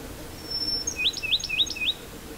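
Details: Bachman's Sparrows singing in Apalachicola National Forest, Florida, pinewoods just after a prescribed burn, where hundreds were present: a thin, high steady whistle, then four or five quick sweeping notes repeated about three times a second, over faint hiss.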